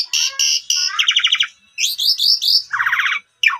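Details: Lure recording of Asian pied starling song for prompting a silent bird: clipped harsh notes, a fast rattling trill, quick rising whistles, then another rattling trill.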